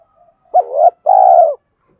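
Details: Cooing spotted dove, part of male and female calls used to stimulate cooing: one clear two-note phrase, a rising, wavering first note swelling toward its end, then a longer level coo that fades downward.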